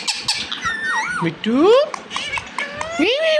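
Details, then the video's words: Pet Indian ringneck parakeet talking indoors, imitating human speech in a rapid, nasal, harmonic-rich babble with rising glides and squeaky syllables over about three seconds. "Indian Ringneck Parrot 🦜Talking"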